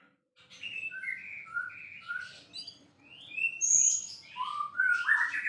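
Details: White-rumped shama, a singing bird kept as a champion songbird, in a steady flowing song of many short whistled notes rising and dipping, with a bright high whistle midway and a faint low hum beneath.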